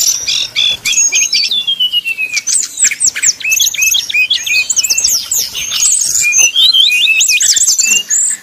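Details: Sumatran red-crowned leafbird song as used for fighting practice at song contests: loud, rapid, varied high chirps, slurred whistles and quick descending notes, dense and continuous throughout.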